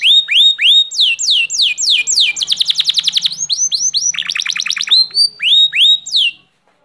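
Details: Canary in full song: repeated arching whistled notes, a long fast rattling trill, a second lower trill, then more arched sweeps before stopping.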